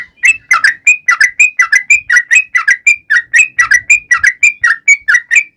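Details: Rapid, continuous whistled chatter from a sooty-headed bulbul calling its companions: bright short notes swinging between lower slurs and higher clear whistles, nearly without gaps.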